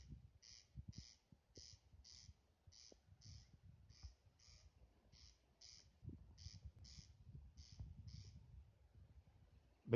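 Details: King quail giving a steady series of short, high, slightly buzzy notes, about two each second, over faint low rumbling and murmuring indoor background noise.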